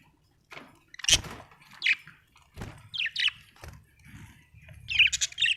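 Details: Happy budgies giving scattered squawky chirps and short warbled notes, separated by low knocks and rustling sounds.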